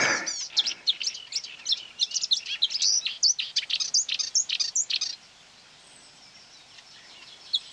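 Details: Marsh warbler near quarry workings on 9 May 2020, lured by playback of its own voice, attacking a hung mobile phone and trying to outsing it: rapid chattering, varied high notes for five seconds, then near silence.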